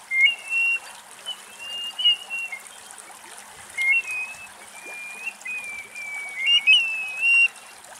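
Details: Grey plover at Axios Delta National Park, Thessaloniki, Greece, gives clear, plaintive slurred whistles, some rising and falling, repeated irregularly over a steady soft hiss.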